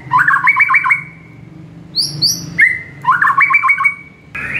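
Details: White-rumped shama song recorded in the morning as a master for training caged birds: a rapid rattling warbled trill, paired high clear whistles, then another trilled phrase and a rising note.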